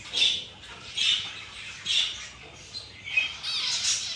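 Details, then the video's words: A zebra finch in the morning calls in three evenly spaced nasal notes, then breaks into a denser, chattering run at the end. "Zebra finch morning routine"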